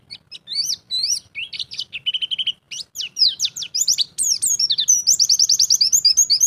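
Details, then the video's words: A pleci (white-eye) rated champion sings ngalas style, unloading imitated phrases: varied upslurred whistles and buzzy notes building into a long, rapid, evenly repeated trill at the close. "Pleci Jawara - Ngalas Bongkar Isian"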